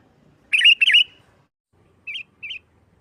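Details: Sooty-headed bulbul voicing 'nggaruda tarung' song to stir other bulbuls into singing: two loud, rolling warbled notes, then after a second's pause two short, soft chirps spaced half a second apart.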